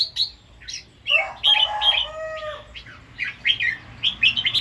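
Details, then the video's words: Red-whiskered bulbul singing in the morning, doubling its phrases two to three times in 'rik' style. Sharp bouncing whistled notes alternate with a few lower, longer, level whistles, and the sound is otherwise quiet. "เสียงนกกรงหัวจุก ร้องเบิ้ล2-3 ร้องริก"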